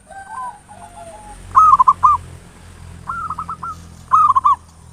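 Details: Local zebra dove song used as a lure (pancingan) to quickly provoke other doves into singing, in the ngayer nulop style: soft cooing notes at first, then three loud rolling bursts of quick stuttered coos, each under a second, over a steady high whine.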